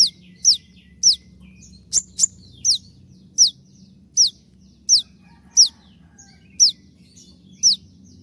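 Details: Konin, possibly molting, giving 'tembakan' shot-style song for training songbirds: a series of sharp, downward-sweeping high notes spaced roughly half a second apart, with two brief clicks near the middle and a faint low hum.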